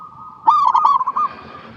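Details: A single bright phrase from a singing zebra dove, a rapid run of bubbling, trilled coos lasting under a second, with a faint steady tone before and after. Meant as a lure so other doves start singing.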